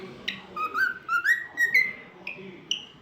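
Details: Pet cockatiel, described as talkative, singing: a run of clear whistled notes that step and slide upward in pitch, some short sweeps and brief pauses, ending in a higher sustained whistle, with faint room background.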